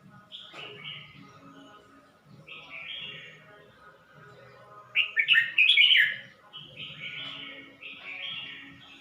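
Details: Caged red-whiskered bulbul from Suan Phueng, Ratchaburi, Thailand, recorded 29 May 2020, three weeks after changing owners: bright warbled phrases, quiet at first, swelling to a loud tumbling burst midway, then softer phrases again.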